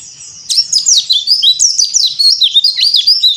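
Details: Yellow-breasted Bali white-eye, locally called pleci dakbal, singing in the nonstop cor dor style, a recording meant as therapy audio for young white-eyes. A quiet start gives way at half a second to rapid, high twittering with sharp down-slurred notes, dense and unbroken.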